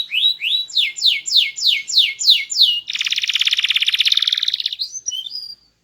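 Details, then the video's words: Loud, varied song of a small-bodied canary singing actively: about nine repeated descending whistled notes, then a dense buzzing trill and a few soft closing whistles. "Burung Kenari Gacor, Body Kecil Suara Keras Merdu Bervariasi"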